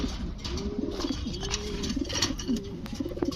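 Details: Pigeons offered for sale give low, soft cooing notes in rising-and-falling arcs, repeated roughly every half second to a second over a steady, noisy indoor-sounding background with some clicks.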